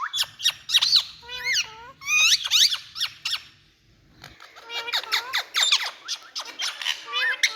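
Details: Rose-ringed parakeets, kept birds, calling: a busy mix of sharp squeaks, rising and falling screeches and short chatter, with a faint low hum in the first half.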